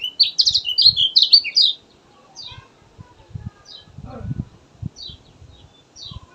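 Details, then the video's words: Kecial kuning starts with a burst of rapid, loud high twittering, then falls to sparse single thin descending chirps every second or so, with low knocking and handling sounds in the background. "Pancingan ampuh buat kecial malas bunyi, suara asli gacor josss"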